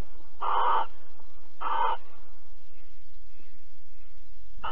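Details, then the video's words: Barn owls mating and cuddling at Alphen, 22 April 2020, 21:37; two rasping, hoarse screeches about a second apart, then a pause of faint noise before another screech begins, steady low hum beneath. "Kerkuil Alphen 2020 04 22 Paring en Kroelen"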